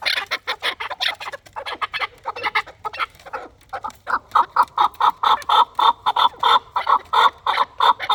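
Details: Chukar partridges of a fighting stock giving repeated clucking chuck notes, irregular at first, then settling into a steady, even rhythm of about four notes per second.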